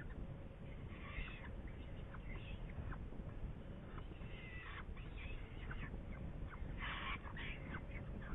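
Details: Saker falcon calling in Hungary on 8 May 2019: scattered harsh, buzzy notes, some short clipped strokes and some longer grating bursts, set against a steady low rumble.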